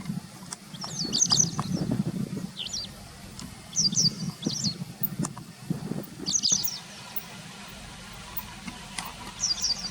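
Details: Late September 2020, a white wagtail near a car, unafraid of people strolling past: repeated high, squeaky two-part chirps in small bursts, with a continuous low background rumble.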